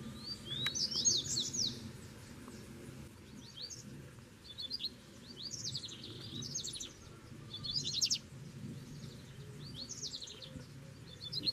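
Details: Double-collared seedeater song in Brazil, caged bird and wild bird close together: repeated short phrases of high slurred whistles and quick buzzy trills, several across the stretch, over a low rumbling background.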